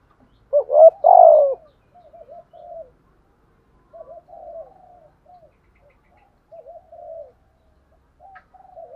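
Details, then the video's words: Spotted dove decoy in 'thúc gù' urging coo: one loud stuttered-and-falling coo phrase, followed by a long run of soft, low, wavering murmured notes. "thúc gù chim cu gáy mồi bài bản"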